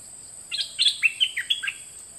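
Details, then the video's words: Teaching recording of two birds from 2020, intended for young birds to copy: a lively phrase of about eight loud, liquid whistled notes with quick up-and-down slurs, lasting about a second and a quarter, over a constant high hum. "เสียงนกดอกแตงเจ้าเพชรกับเจ้ามณี เสียงใหม่ล่าสุด2020ไว้สำหรับต่อ ใช้หัดลูกนกให้ร้องตาม"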